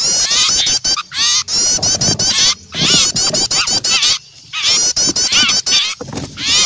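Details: Frightened small birds raising alarm calls after seeing an owl; high, sharp, quivering chips poured out in busy bursts, pausing briefly about every second or two.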